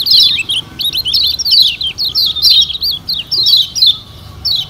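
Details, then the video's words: Lure recording of Lombok yellow white-eye song, played to make kecial kuning sing hard: a fast, continuous chatter of high, twittering, bouncing notes with short pauses, fairly steady and loud throughout. "Pancingan Kecial Kuning Paling Ampuh Bikin Kecial Gacor Parah"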